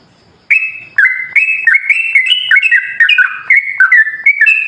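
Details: Lure song of a sooty-headed bulbul, meant to set other bulbuls singing. After a short silence, clear whistled phrases step up and down in pitch, each dropping at its end, delivered about twice a second.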